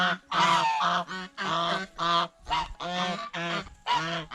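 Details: Goose feeding on bread and fresh vegetables in a fish pond, uttering a steady run of loud, brassy, nasal honks about twice a second, each short and harsh with small gaps between.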